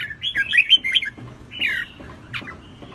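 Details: Red-whiskered bulbul, a wild-caught bird, giving short slurred whistles and bent notes with gaps between, some rising then falling sharply.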